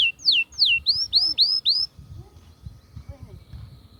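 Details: Atlantic canary song to stimulate hens for mating: two clear downslurred whistles, then four loud upslurred notes about every quarter second, followed by near silence with faint background chirps.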